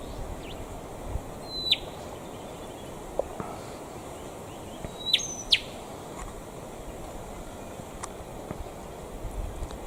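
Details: Rufous (Western) Whistler at Boyagin, recording slowed down, giving a few sharp, high whistled notes with quick downward slurs, spaced several seconds apart over a steady outdoor hiss.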